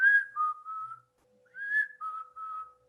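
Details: Black-capped Chickadee gives its mating call: two clear whistled phrases, each a higher note dropping to a lower drawn-out note, about a second and a half apart, over a faint steady hum. Finding: Black-capped Chickadee.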